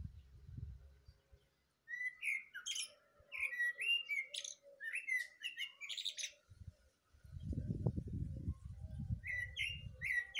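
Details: Morning song of a thrush: a rapid run of varied whistled and chirping notes, some clearly rising, then a pause and a few more phrases, with bursts of low rumbling noise at the start and end.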